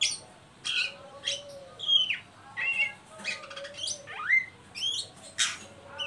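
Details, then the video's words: The ngeriwik call of an Oriental magpie-robin, played to coax young birds into song: rapid rasping chirps and rising whistled sweeps in repeated bursts, with a faint steady tone in the background. "Suara burung Kacer ngeriwik pancingan ampuh buat Kacer bahan"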